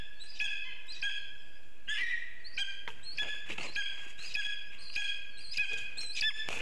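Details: A Lesser spotted eagle, in a scene of a gift for the female, gives a quick series of high, nasal, yelping notes, roughly one or two each second, in overlapping bursts against a quiet background.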